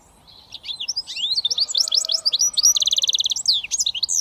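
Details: A British finch hybrid goldfinch mule sings in switty style: a fast tumbling run of high chirps and slurred whistles building to a dense buzzy trill, then more sharp twitters.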